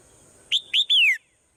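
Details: A swallow singing in the morning gives a three-note phrase: two short upslurred chirps followed by a longer clear whistle that slides downward. Faint steady high hum in the background.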